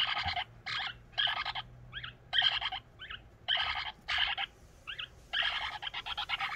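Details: Begging for food by a pushy pet eclectus parrot, the household's youngest, continuing though its crop is already full; rough grating squawks in uneven bursts with brief fainter notes between them.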